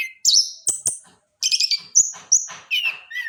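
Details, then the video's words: Trotol-type orange-headed thrush recorded as a lure for training: high, piercing whistled phrases and rapid twittering notes, some dropping in pitch, given in short bursts separated by brief silences. "AK TROTOL WAJIB DENGAR SUARA BURUNG INI"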